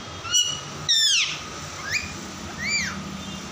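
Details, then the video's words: Pet parrot, called tota or mitthu, giving a few short harsh squawks with bright overtones, two louder bursts near the start and softer arched calls later, over a steady low hum. "Mitthu tota ki awaaze | Funny parrot talking video"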